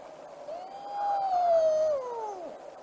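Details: Elusive Pel's fishing owl (Scotopelia peli), more often heard than seen, gives its unmistakable wailing cry, one of its three sounds: a single drawn-out, mid-pitched wail that swells, holds about two seconds, then slides downward.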